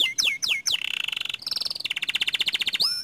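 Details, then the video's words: Panda canary in active 'ngerol' song: three falling whistled sweeps, then long rolling trills at steady pitch, a higher held run, and a final upswept note. "Suara Kicau Kenari PANDA Gacor Ngerol Nembak Panjang"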